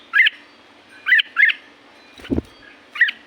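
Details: From Thailand's La-u forest, a red-whiskered bulbul gives clipped chirps at irregular intervals, broken once by a low thud-like noise.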